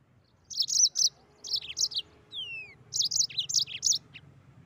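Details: Mozambique canary singing in the rolling 'ngeroll' style: rapid high, bright chirp clusters interrupted by a thin falling whistle, then a second lively run of quick twittering notes.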